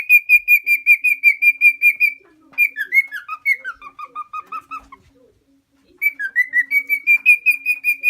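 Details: Four-year-old male lutino cockatiel, a tame pet lost from a home in Minoo, Osaka, keeps singing: steady high pulsed whistles, then a descending run of lower warbled notes, silence, and a return to the high repeated whistle.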